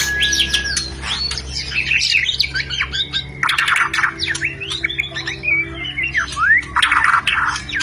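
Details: White-rumped shama rencetan call aimed at triggering mating: busy, varied whistles with sharp upward and downward sweeps and dense chattering clusters, over a steady low hum.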